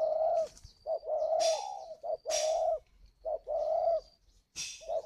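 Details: Captive spotted dove from a dove-keeping garden in Ba Vì district, Hanoi, Vietnam, giving a calling coo: low, hooting notes in short groups with brief pauses, about fifty phrases a minute, with a faint high whistle and a few rustles behind.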